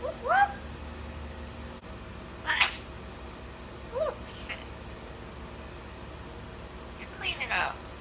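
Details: Female pet African grey parrot living in Florida, talking and mimicking: a rising meow-like whistle, then scattered raspy whoops and short voiced sounds spaced a few seconds apart over a steady indoor hum.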